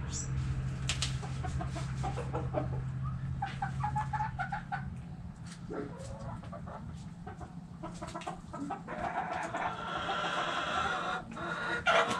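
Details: Backyard chickens with hens clucking in irregular bursts of short harsh notes, some louder broadband squawks near the end, over a steady low hum.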